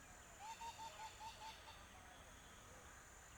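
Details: A coot gives a quick string of six short, even, nasal notes in about a second and a half, then falls quiet against a soft, steady background hiss.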